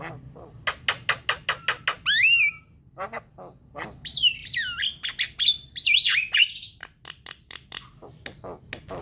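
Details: Javan myna song used to trigger singing: a rhythmic run of dry clicks, a downslurred whistle, then a burst of squeaky wavering whistles and rasps, ending in more even clicks.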